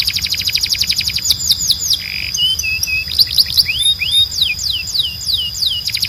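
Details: Canary training song for young birds: a rapid trill, a brief low buzzy rattle, then warbled slurred notes leading into a series of loud repeated downsweeping whistles.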